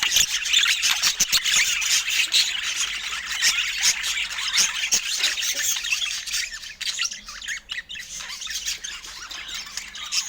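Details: A flock of budgerigars keeps up a continuous high warbling chatter, thick with overlapping chirps and squawks that ease slightly in the second half, a few sharp taps breaking through.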